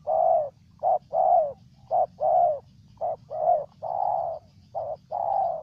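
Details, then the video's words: Spotted dove from Ninh Thuận, Vietnam, cooing loudly: low, hoarse coos in short and long notes, grouped in phrases of one brief note then a longer drawn coo, repeated steadily, with faint low background rumble. "Cu Gáy Ninh Thuận"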